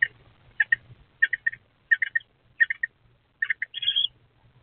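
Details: Pair of eastern screech owlet nestlings inside a nest box, 23 April 2024; repeated clusters of two or three scratchy chirps, roughly every two-thirds of a second, ending in a longer harsh trill.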